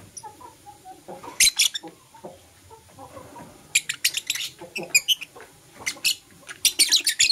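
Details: Lively morning chirping by green and blue masked lovebirds. Dense runs of shrill, buzzy, high-pitched chirps come in rapid clusters, mixed with softer lower squeaks.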